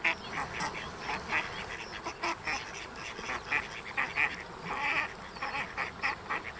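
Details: Female mallard trying to keep her ten-strong brood in order, giving rapid series of short nasal quacks in irregular bursts, rising and falling in loudness, against a constant hissing background.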